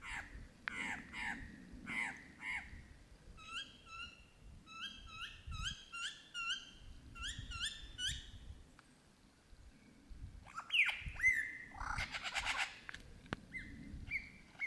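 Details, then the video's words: A lyrebird singing in the Australian bush runs through a varied mimicked medley, possibly including crow, kookaburra and magpie, of rapid slurred notes, crisp repeated two-part whistles and ringing rising calls, each phrase type quickly replaced, over a low rumble. "The Australian Lyrebird singing"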